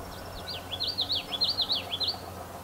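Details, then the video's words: Tree swallow (Tachycineta bicolor) in Ontario, Canada, 25 September 2017, giving a quick run of high, liquid chirps and twitters, about ten notes in under two seconds, over a faint background hum. "Tree Swallow bird - Hirondelle bicolore oiseau"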